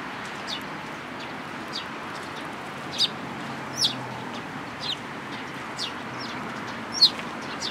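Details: Sparrows at a Tenmangu shrine in Japan, April 13, 2022, with a tailless individual present. Short, piercing chirps recur at uneven intervals of about a second, the loudest coming near the end.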